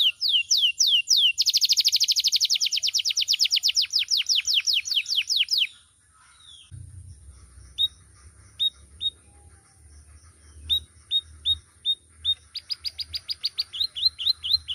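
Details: Vigorous canary song, loud and varied: rapid downslurred whistles leading into a dense high buzzy trill, a brief silence, then sparse sharp single chips that quicken into a short final run, with low background rumble.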